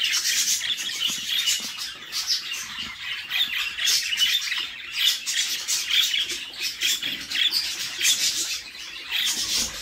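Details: Budgerigar chicks in a nest box being fed by their mother: a steady stream of harsh, raspy, buzzy squawks overlapping almost without pause, rising and falling in loudness throughout.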